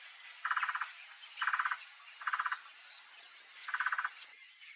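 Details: A male Blue-crowned Trogon in natural Brazilian forest habitat gives four short, rapid bursts of mid-pitched rattled notes, about one per second, to mark its territory in breeding season, over a steady high insect hiss.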